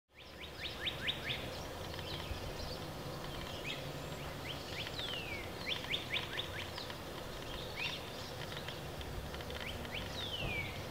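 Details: Mallard mother with seven ducklings; high, thin, downward-slurred peeps come in quick bursts of several notes, some longer descending whistles among them, over a steady outdoor background hiss.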